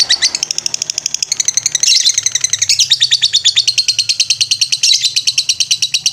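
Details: Lovebird ngetrek song used as a master recording for training birds: a long, fast run of sharp, buzzy, high notes repeated about twice a second, with the pitch shifting upward partway through.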